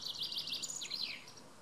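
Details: A male common chaffinch (Fringilla coelebs) sings a quick, bright cascade of trilled notes that speeds up and descends, ending in a short flourish; faint background hiss.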